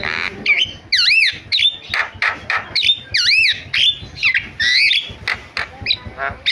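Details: Starling (jalak) calls used to coax other starlings into calling: repeated looping whistles that swoop down and back up, mixed with harsh grating squawks and short chattering bursts.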